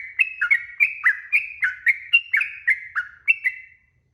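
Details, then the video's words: Long rolling song of a sooty-headed bulbul, played as a lure so other birds answer: about a dozen bright, slightly downslurred whistles in quick succession, pitch stepping up and down, ending in silence. "KICAU TRUCUK ‼️TRUCUKAN GACOR ROPEL PANJANG🛑 Pancingan Burung Trucuk Bahan Cepat NYAUT"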